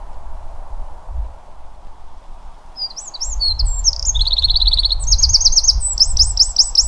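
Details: Eurasian wren in the Pilica River valley. After about three seconds of low rumbling background noise, a loud, very high song begins: quick twittering notes, then a rapid, buzzy trill, and ends with a run of fast, sharp rising-falling phrases.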